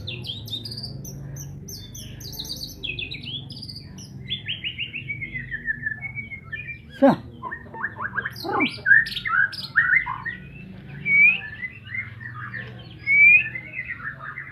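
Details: White-rumped shama of the Medan type in a varied song: buzzy chattering phrases, then clear whistles and sliding notes, a couple of sharp clicks midway, over a low constant hum.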